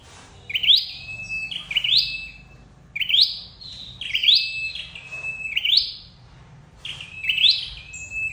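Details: Red-headed flowerpecker call for bird trapping, a run of about seven high phrases, each a sharp upsweep then a flat thin tone, given at an uneven quick pace.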